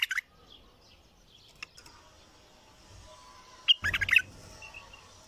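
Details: Deep-voiced bulbul song: a brief note at the start, then after a near-silent gap one loud, dense phrase of several quick, warbled notes lasting about half a second, with faint calls in the background.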